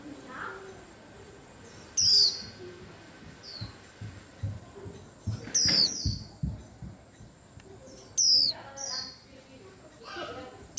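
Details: White-eye said to set off a whole rack of birds: three loud, high, falling whistles spread over about ten seconds, amid softer chirps, low thumping and rustling handling noises.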